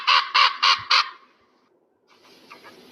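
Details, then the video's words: Eagle giving four loud, rasping notes in quick, even succession, followed by quieter faint calls in the background. "REAL SOUND OF EAGLE"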